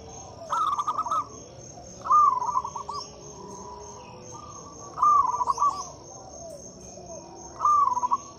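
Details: Lure song of a vigorously singing local zebra dove, meant to coax mute doves into singing: four rolling, stuttered coo phrases repeated roughly every two and a half seconds, with a steady high hum and faint chirps behind.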